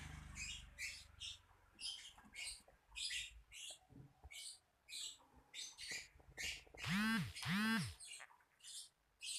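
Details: Lovebird chattering with a steady stream of harsh, buzzy chirps about twice a second, broken midway by two louder, ringing squeals that rise and fall.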